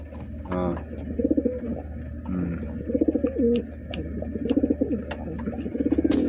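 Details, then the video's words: Pigeon cooing indoors: repeated low, throaty rolling coos in bursts roughly every second or two, each a quick pulsing warble, over a constant low hum with faint clicks. "Tiksas na kalapati pwde na pang laban sa tulaan"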